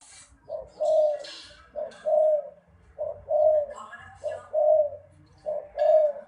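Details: Spotted dove cooing: a low, soft two-part phrase, a short note then a longer hollow coo, given four times at steady intervals of about a second and a half, with faint background rustling.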